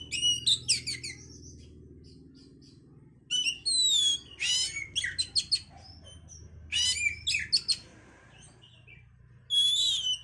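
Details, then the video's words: Oriental magpie-robin singing to stimulate breeding condition: bouts of scratchy chattering, looping whistles and fast chips separated by short pauses over ten seconds, with a low continuous hum behind. "pancingan suara Kacer untuk mendongkrak birahi"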